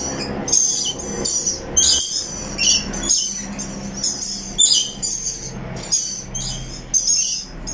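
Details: Rainbow lorikeet parrot chirping: shrill, high screechy bursts roughly every half second to a second, with a steady low rumble and broadband background noise underneath.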